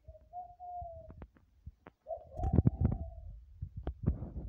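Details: Zebra dove (derkukur) calling at night: two soft, sustained low coos, each about a second long, over low rumbling thumps and scattered clicks.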